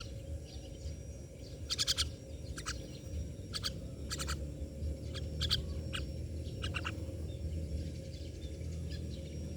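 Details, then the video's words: Myna birds giving short, harsh, broadband rasping notes in scattered pairs and clusters over about ten seconds, with a steady low rumble of background noise throughout. "Myna birds part eighteen"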